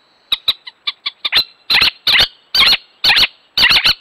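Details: A little owl at a natural nest site gives sharp, harsh alarm yelps: quick thin clicks open, then loud, rasping double notes about every half second.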